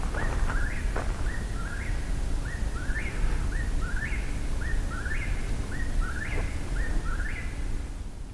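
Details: Eastern Whip-poor-wills sing at night on an uphill hike, more than one bird: overlapping whistled three-part 'whip-poor-will' phrases, each rising to a sharp end, about one per second, over a low outdoor rumble.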